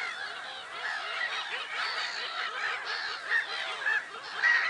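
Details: Massed black-headed gulls, Lake Sarymsak, Pavlodar Region, Kazakhstan, on 10 April 2011, giving overlapping coarse cries in rapid succession over a rhythmic run of lower, clipped notes, with louder calls near the end.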